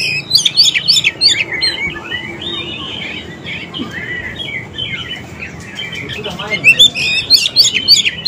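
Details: Oriental magpie-robin song used as a lure for wild and young birds: loud clipped chattering notes at the start and end framing a stretch of looping whistled, warbled phrases, with light background hiss.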